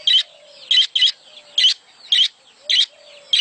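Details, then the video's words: Breeding-stimulation call of budgerigars: sharp, bright chirps repeated at an uneven pace, some in quick pairs, with soft warbling notes between them. "صوت تزاوج العصافير الاسترالي محفز ليهم"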